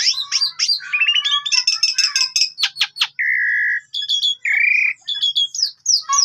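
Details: Lure song of the Asian pied starling for tutoring other cage birds: dense jumbled whistles and chatter, a series of sharp clicks, two long steady buzzy notes and quick high downslurred whistles closing the phrase.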